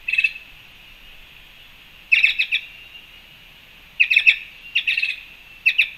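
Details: Black-chested jays at a Panama fruit feeder on March 2, 2021 give a short opening call, then grouped runs of harsh clicking notes after a pause, over a steady high hiss.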